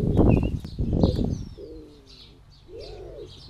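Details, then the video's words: Male common wood pigeon at a garden bird bath, trying to attract a mate. Loud, low, thumping bursts come first, then two soft, low, drawn-out hooting coos. Small birds chirp faintly and high in the background. "A wood pigeon trying to attract a mate on the garden bird bath"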